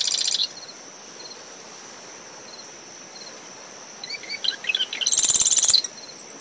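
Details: Marsh wren near its nest among dune shrubs at dawn, recorder ten meters from the high tide line: the tail of one buzzy rattle, a quiet gap with a cricket trilling, then a full song of stuttering notes and a harsh trill.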